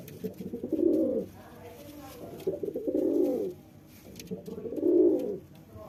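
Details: A male pigeon coos to impress his female: three deep, rounded coo phrases, each about a second long, spaced roughly two seconds apart, with soft murmuring and rustling between them.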